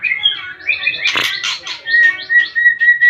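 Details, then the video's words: White-rumped shama in breeding condition singing: a varied run of loud whistled notes, slurred phrases and a brief harsh burst, ending on a long steady high whistle. "Burung Muray Mulai Birahi"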